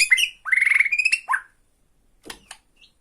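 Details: White-rumped shama from Borneo, tretekan song aimed at a rival: a short phrase of buzzy whistles and a steady trilled note over about one second, then near silence with a few faint clicks.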